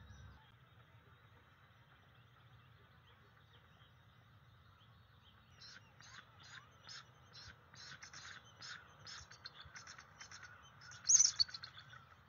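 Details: Bald eagle at a nest in May 2023, recorded on a field cam, warning off an intruding adult: after quiet hum, a series of thin, high staccato chirps builds up, ending in one sharp, louder squeal.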